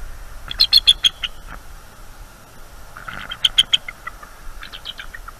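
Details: Eagles on a nest cam at night, 23 October 2021, fully awake and alert, defending their nest against a harassing owl: two bursts of sharp, high chittering notes, then a softer, fading run of notes near the end.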